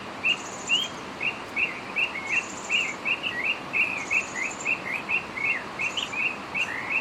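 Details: Northern oriole song heard as a long string of brief slurred whistles, roughly three per second, with periodic thin high buzzy notes and a hissing background.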